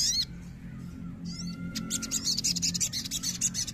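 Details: An untrained Crimson Sunbird, stirred up to provoke a response, gives a very high, thin twittering song: fast, sharp chips and buzzy trills, with a few drawn-out whistled notes early on.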